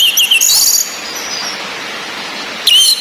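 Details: Female orange-headed thrush whistling, used to stir males' breeding drive so they sing. There are quick high wavering chirps at the start, then a drawn-out whistle, and a sharp chirp near the end over a steady rain-like hiss.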